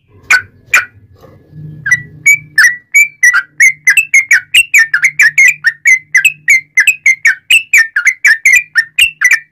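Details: Singing sooty-headed bulbul used as a tutor to draw other bulbuls into song. After two opening notes comes a steady run of bubbly, whistled notes, roughly three or four per second, each with a slurred up-down turn. A soft low hum runs underneath.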